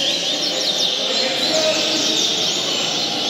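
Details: A tournament Double-collared Seedeater sings a fast, high, continuous twittering with thin whistled notes, over a busy background of other small birds and faint voices.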